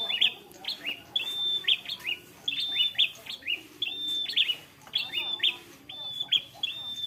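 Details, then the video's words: Fighter bar-winged prinia giving ngalun song that holds one steady pitch: sustained high whistles, each closed by bright clipped notes, repeated about every second, with faint lower chatter beneath. "prenjak kepala merah fighter ngalun mewah berwibawa nancep satu titik"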